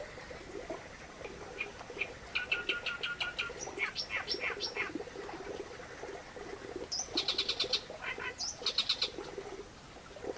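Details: Reed warbler singing: harsh, scratchy chattering notes repeated in rapid bursts, with sharp upslurred whistles and dense clicking trills late in the phrase. A steady low murmur of other sound runs underneath.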